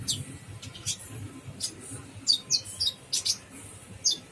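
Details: Kolibri ninja, the Brown-throated sunbird, in gacor full isian singing. Spaced, harsh high squeaks give way to a quick series of sharp, piercing chips in the second half, over a faint low rumble.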